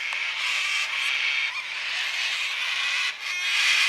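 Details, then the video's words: A chorus of cockatoos on a Sunday late afternoon, near 5 pm in daylight saving time, giving a steady, unbroken blur of raspy, hoarse screeching with few clear gaps. "cockatoos making noise on a quiet sunday afternoon"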